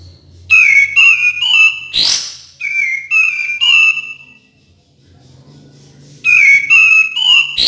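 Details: Cream-vented bulbul song used to coax reluctant birds into singing: clear whistled phrases of gliding, slightly descending notes, repeated in groups of three or four with a pause between groups, and a brief noisy burst between them.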